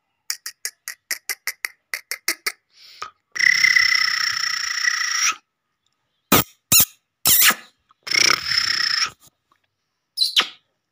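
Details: Black francolin (kala teetar) call meant to draw birds in quickly and excite them: a fast run of about ten sharp clicking notes, then long buzzy, nasal, harmonic-rich notes and a few short harsh bursts.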